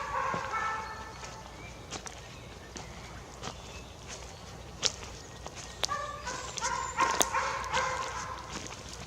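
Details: Young jay just out of the nest in a quiet forest, giving nasal, harmonic calls, a drawn-out one first and a rougher burst near the end, with scattered snaps and clicks.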